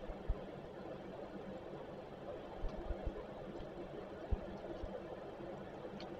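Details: Low broadband hum with a few soft clicks and knocks, no calls from any animal.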